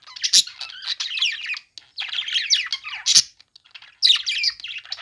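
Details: Playing budgerigars give busy warbling chatter mixed with sharp squawks, in three runs of about one and a half seconds each, with short silent gaps.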